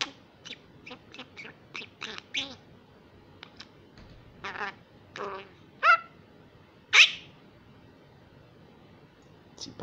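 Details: Rescued female common myna chick in Israel, whose vocabulary grows daily, babbling Hebrew-like sounds in a quiet room: quick clicks and short husky syllables, then two louder squawky word-like notes about a second apart.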